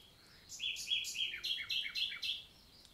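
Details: Common nightingale singing in countryside forest in the Célé valley, Lot, south of France, on a summer morning, 11 June 2023; a phrase of about eight sharp, repeated high notes, evenly spaced and stepping slightly downward, over quiet background.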